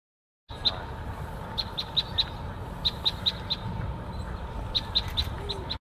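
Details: A red crossbill at Ashbridges Bay Park, Toronto, Ontario, on 29 November 2020 gives sharp, dry kip notes in quick bursts of two to four, over a low traffic-like rumble and a steady hum.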